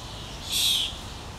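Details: A single harsh, breathy rasp from a common starling fledgling fed by a parent on a Helsinki lawn in June 2013, rising out of steady low background noise.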